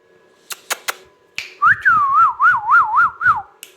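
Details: Pet rose-ringed parakeet whistling indoors: a few sharp clicks and snaps, then a clear sustained whistle that wavers up and down in quick regular undulations, about five wobbles, ending with a falling note.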